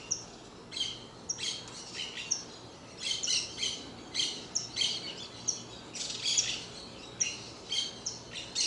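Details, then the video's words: Saffron finch singing: bursts of bright, chirpy high notes, some with thin whistled tones, come in quick phrases about every half second to a second, with steady faint background hiss. "CANTO DE CANÁRIO DA TERRA"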